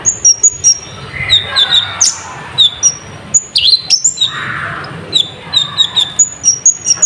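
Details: Sunbird lure song rich in varied phrases: bright high whistles, sharp chips and a few swooping slurs in quick irregular bursts, with brief quieter gaps and soft background hiss.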